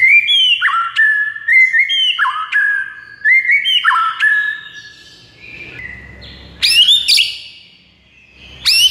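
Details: White-rumped shama song aimed at getting a silent bird singing: a stepped whistled phrase repeated three times, then a pause with faint low noise and two loud high squealing bursts.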